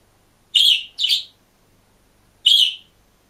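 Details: Budgerigar alone in a cage uttering three loud, bright chirps: a quick pair, then a single note after a pause of more than a second.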